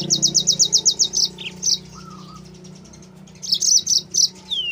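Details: Training and lure song of a yellow-fronted canary: a fast run of about eight evenly spaced high chirps, a pause with a soft lower warbled note, then another high chirping burst ending in a falling whistle.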